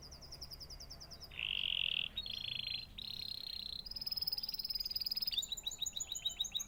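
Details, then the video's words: Canary chirping in rapid tours: a high buzzy trill, then lower dense rattling rolls at steady pitch, shifting to faster high pulsed trills and sharp repeated chips, against a faint background hiss. "natural canary chirping sound"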